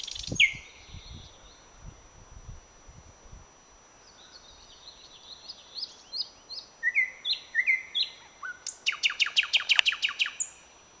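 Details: Thrush nightingale perched in blooming bird cherry, 21 May 2009: high varied whistled phrases climbing and falling, then a loud, rapid, rattling burst of repeated notes near the end.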